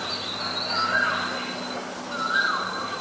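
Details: Asian koel calling: two short rising whistled notes about a second and a half apart, over a steady thin high-pitched drone and faint background noise.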